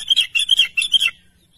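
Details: Sooty-headed bulbul calling its companions with a burst of lively, chirping notes in four or five quick groups, bright and slightly buzzy, ending abruptly into quiet.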